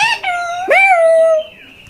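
A talking parakeet gives two drawn-out, nasal, word-like syllables. The second is longer and slowly falls. A person speaks to it nearby.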